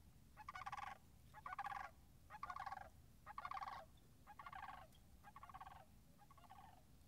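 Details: Near marsh and wetlands in late March 2019, with puddles still frozen, Sandhill cranes give seven rolling, trilled calls about once a second, the last ones softer, above a low background rumble.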